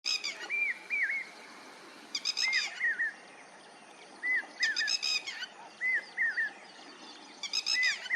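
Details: Lapwing calling: repeated slurred notes that rise then fall, given singly or in pairs every second or so, with harsh buzzy bursts every couple of seconds over a steady outdoor background hiss.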